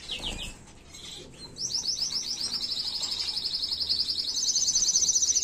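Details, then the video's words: Error-free canary song used as a tutor for young birds, 2022. A short high burst and pause give way to a rapid, rhythmic trill of rising notes that climbs higher and grows louder toward the end. "تغريد أصلي لطائر الكناري بدون أخطاء لتعليم الفراخ Original tweet of the canary bird without errors"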